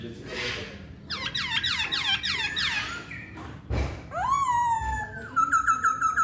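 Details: A Chinese hwamei gives a rough note, then a quick cascade of descending slurred whistles, a thump, a long clear falling whistle and a rapid series of repeated high notes.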